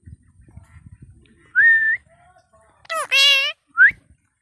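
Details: Pet parrot coaxed in Bengali answers with a rising whistle, then a harsh, buzzy, speech-like burst and a short upward whistle, all loud and close in a quiet room.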